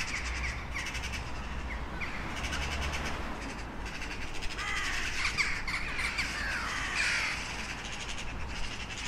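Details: Several crows caw in quick, irregular succession, harsh and raspy, the calls crowding together in the middle, over a continuous low rumble.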